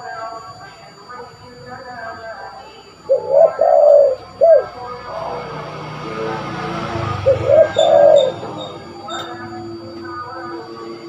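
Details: Spotted dove in vigorous call, suited for luring birds: two mellow hooting coo phrases about four seconds apart, each a few soft notes with a longer middle one, amid steady hiss and faint murmuring background noise.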